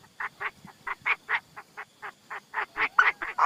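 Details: Chinese francolin used as a decoy bird, giving a fast series of harsh, clipped notes of about four a second. Loudness varies, and the last notes rise to the strongest.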